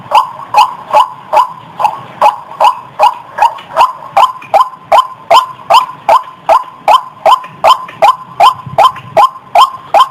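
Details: Lure call of a White-breasted waterhen, meant to bring birds out of bushes toward the sound: a steady series of harsh, nasal 'wak' notes, about two and a half per second, each ending in a rising squeak.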